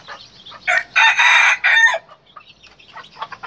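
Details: Red junglefowl or brugo rooster crowing: one loud, harsh, broad crow of about one and a quarter seconds, rising into a sustained middle and ending abruptly, followed by faint chatter and quieter background calls.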